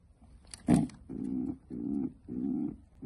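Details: Pet pigeon defending her nest indoors; a sharp noisy burst followed by three low, droning grunts, each about half a second long, spaced evenly.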